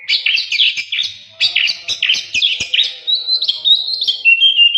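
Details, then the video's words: Training recording of oriental magpie-robin song: dense, rich warbling with rapid chirps and trills, then a clearer sequence of high whistled notes sliding downward. "Masteran burung Kacer gacor"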